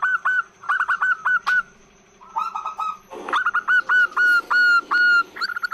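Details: Female zebra dove giving a long lure call for males: clusters of crisp, slurred whistled notes, a short rolling trill, then a steady series of clear downslurred whistles roughly every third of a second.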